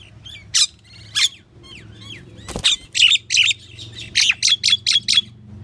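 A pied myna gives a varied run of harsh squawks, slurred whistles and a closing series of about six rapid, bright chattering notes, with faint background hum.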